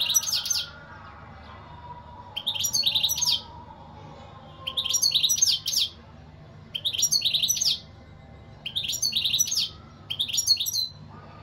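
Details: Steady European goldfinch song: six bright, rapid twittering phrases of about a second each, evenly broken by short silences.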